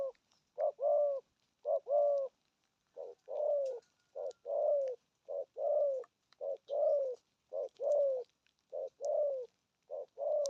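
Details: Spotted dove giving 'thổ âm' coos: low hollow notes in short groups, some phrases ending in a longer drawn, falling coo, repeated steadily with brief pauses; faint clicks in the background.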